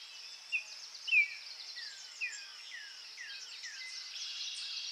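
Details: Senegal thick-knee in Pench Tiger Reserve giving a loose series of short, thin downslurred whistles, about one every half second, over a steady high insect hiss.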